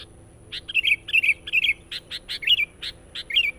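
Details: Sooty-headed bulbul singing loudly and persistently, a recording used to lure wild birds: short bright whistled phrases rise and fall, repeated rapidly, mixed with sharp clicking notes over a faint steady hum.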